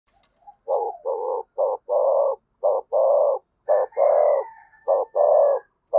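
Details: A spotted dove gives low, hollow cooing notes in short-long pairs, repeated steadily; the call is used to stimulate decoy birds.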